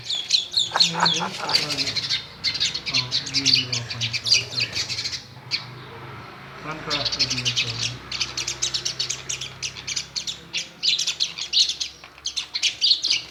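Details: Indian myna at home, watching itself in a mirror and chirping: dense bursts of sharp, high chirps and squeaky notes in rapid runs, a short lull near the middle, then renewed chattering over a faint low hum.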